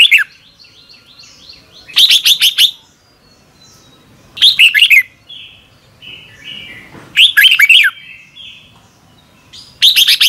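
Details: Red-whiskered bulbul singing at morning in the double-twist voice, a recording for training young birds: short energetic chirped and warbled phrases about every two and a half seconds, with soft background chatter between them.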